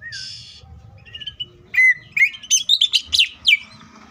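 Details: Varied song of a green leafbird, played to provoke other leafbirds into singing: a buzzy note and soft whistles, then loud chirps, slurred whistles and quick mixed phrases.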